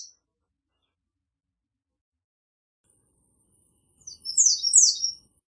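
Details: American redstart with a short high phrase of two or three emphatic slurred notes near the end, preceded by faint high hissing and long silence.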